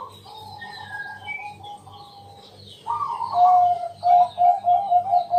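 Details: Nighttime lure song from a Bangkok zebra dove, meant to prompt other doves to sing: a long, soft, level coo, then a louder burst breaking into evenly spaced short mellow notes, with a constant low hum behind.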